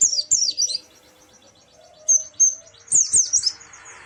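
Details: White-eye kept caged, sound to coax a silent bird into song: high rapid chirping bursts, a faint ticking series, two clear whistled notes, then more shrill warbling.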